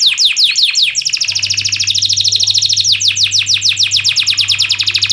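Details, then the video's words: Canary song for teaching lazy canaries: a few loud downslurred notes, then a long, very rapid high rolling trill, followed by evenly repeated descending chirps; steady low hum beneath. "BURUNG KENARI GACOR⁉️ Cocok UnTuk MASTERAN KENARI malas bunyi"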